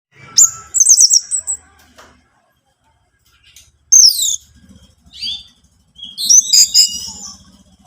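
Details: Orange-headed thrush song, played as a lure to stir a caged bird into singing: three separate bursts of high, rapid, slurred whistles and trills, with pauses of about two seconds between phrases.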